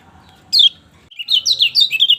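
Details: Lemon-bellied white-eye song for stimulating a silent bird: one sharp, high descending note, a brief pause, then a quick run of bright twittering notes rising and falling over faint low background hum.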